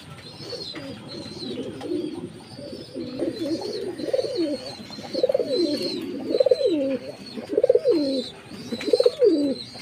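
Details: Jacobin pigeon, a fancy pigeon breed, cooing: low, throaty rolling coos that swell and dip, growing louder and repeating about every second and a half, with high thin chirps of other birds above.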